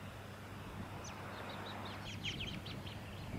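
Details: A Tawny-crowned honeyeater in Victoria, Australia, in September 2017 gives a quick run of thin, high, flute-like notes, some rising, over a steady low rumble of background noise.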